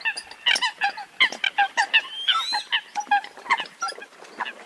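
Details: Rapid, uneven series of nasal honks from a group of Eurasian coots, about one hundred sixty a minute, with one long wavering squeal in the middle.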